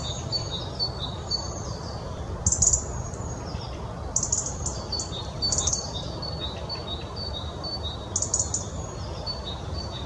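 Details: European robin song in several phrases: high, thin warbled and trilled notes with fast sparkling bursts every couple of seconds, separated by quieter thin whistles, against a constant low rumbling background.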